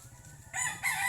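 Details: Rooster crowing on a family farm in Mindanao in the morning: a short, bright, harmonic crow breaking in over a low background hum.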